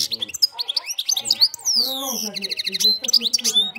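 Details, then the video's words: Goldfinch song of the campero style: dense, tinkling twitters and sharp high chirps in fast succession, with a person's voice humming low beneath the middle of the phrase. "jilguero cante campero"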